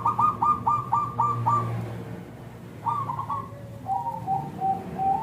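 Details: Local zebra dove singing to draw responses from other zebra doves: a string of six rapid, evenly spaced coos, a pause, a short three-note phrase, then softer, lower, drawn-out coos.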